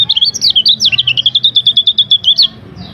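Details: Lemon-bellied white-eye training song with varied phrasing: a quick run of high, wavering whistled notes followed by a long, steady series of rapid, evenly repeated sharp chirps, ending abruptly.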